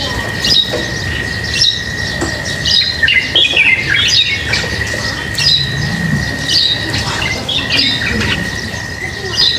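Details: Birds chirping while being fed: a busy stream of sharp, high chirps and short squawks overlapping in quick bursts, over a steady thin electronic whine and light background rustle.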